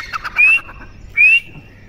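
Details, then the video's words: Partridge (teetar) calling: two sharp, upward-sliding whistled notes about three quarters of a second apart, each with a faint buzzy edge, over a quiet background. "Teetar ki awaaz"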